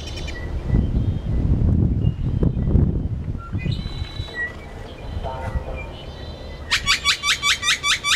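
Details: A great-tailed grackle gives scattered high whistles and squeaks, then a fast run of about eight harsh, rattling clacks, over a steady low rumble of wind or traffic; singing and mate-calling at a pond at Prince Rd and I-10, Tucson.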